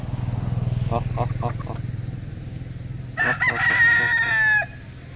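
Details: Domestic White Leghorn rooster, one of three kept males, first gives a few short clucks over a steady low hum, then a loud crow of about one and a half seconds: a rough start that flattens into a held, harmonic cry and then drops off.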